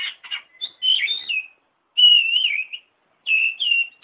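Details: Oriental magpie-robin song for training caged birds: a few buzzy notes lead into long, smoothly wavering whistles, each phrase held about a second, with quiet gaps between.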